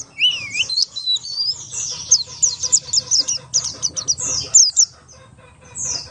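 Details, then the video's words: Lively Buxtoni Oriental white-eye song, used to coax other white-eyes to sing, with a dense run of high twittering notes, slurred whistles and quick trills, then a pause and one closing note. "pleci Buxtoni ngalas 12345 pancingan pleci bahan agar cepat bunyi"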